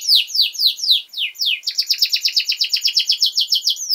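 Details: Canary in long-duration song meant for tutoring young birds: several loud slow downward swoops, then a steady fast trill of repeated sharp notes.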